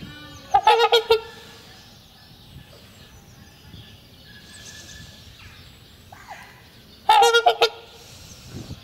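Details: Pair of trumpeter swans trumpeting in spring as a courtship ritual renewing their bond and marking territory; two loud bursts of harsh, horn-like honks with rich harmonics, separated by about six seconds of quieter background.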